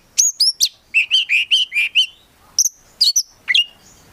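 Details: Oriental magpie-robin (kacer), a prospect bird, giving a series of clear repeated mid-pitched whistles after sharp high opening notes, then scattered bright chirps.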